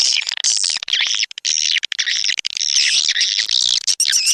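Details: Indonesian swiftlet lure recording, SP Anak Gembala, an outdoor sound used at swiftlet houses in Sóc Trăng and Đắk Nông: busy high twittering chirps in bursts, with clicky breaks between the dense calling.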